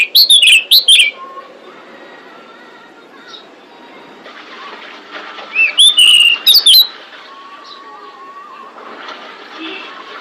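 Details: Female pied bushchat calling to attract males: two short bursts of high, rapid whistled chirps about five seconds apart, with faint lower steady whistles and hiss in between.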